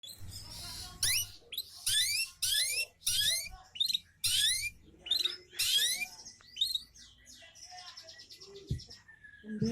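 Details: Long-tailed shrike song used as a lure to prompt other birds to sing: loud, harsh rising sweeps repeated in quick bursts, with a few fainter chattering phrases and a low hum underneath.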